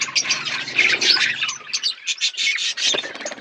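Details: Several budgerigars eating food, producing rapid busy chirping and rasping twitters that run without a break for the whole few seconds.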